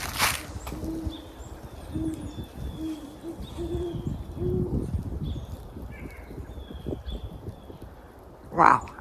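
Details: Northern Hawk Owl territorial hoots, heard in daytime in cold woods (feels like 8°) while a hawk screamed nearby: a series of low, soft hoots about one every half-second, with faint thin whistles of distant birds and brief bumps.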